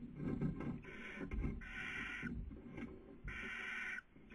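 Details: Hissing calls of a barn owl, picked up by a nest webcam in Spain's Cabañeros National Park during the 2020 breeding season. Rough breathy bursts under a low rumbling background, with two clear hisses of under a second each.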